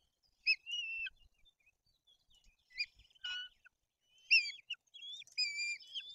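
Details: Nest of white-tailed eagles in Poland's Bory Tucholskie forest while two chicks are fed fish and the older one turns aggressive; clear high whistled calls, some flat and drawn out, others short and falling, in uneven groups.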